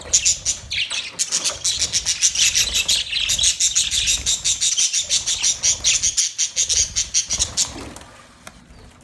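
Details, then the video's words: Budgies chattering in a long, steady series of fast pulsed high chirps, about three per second, forming a buzzy warble that fades out toward the end. "Budgies chirping sound"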